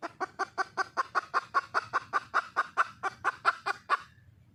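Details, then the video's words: A wild junglefowl hen calls to attract a male with a rapid, evenly spaced series of clipped clucks, about twenty notes in four seconds, loud throughout before stopping abruptly. "le bruit d'une poule sauvage,เสียงไก่ป่าร้องหาถู่หาตัวผู้,ສຽງໄກ່ປ່າຮ້ອງຫາຄູ່ຮັກ, poj qaib qus see"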